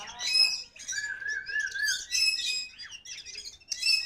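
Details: Oriental magpie-robin of the Kacer Poci type, still singing vigorously (gacor) after being released: bright, varied high whistles and chirps, with a long, wavering lower whistle held for about a second in the middle.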